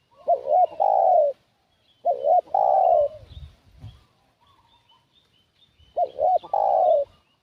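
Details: Lure call of a spotted dove used to attract wild doves: three soft phrases, each a pair of short coos leading into a longer falling coo, with low thuds and faint distant chirps in the pauses.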